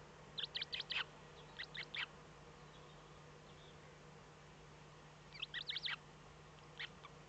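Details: From a Eurasian eagle-owl nest in the German Eifel on 8 April 2014, 05:36, the morning the first chick hatched: rapid bunches of high chirps, a few seconds of quiet hum, then another cluster and a lone peep.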